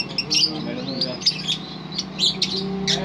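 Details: Lovebird singing its long trilling ngerol song: dense, buzzy, squeaky chatter in quick uneven bursts, with a steady low electrical hum underneath.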